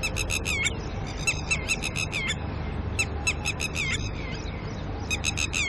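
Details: Red-wattled lapwing pair calling in alarm at a nearby human intruder in the early morning while caring for chicks; rapid strings of strident, piercing notes come in repeated bursts almost without pause over a low constant hum.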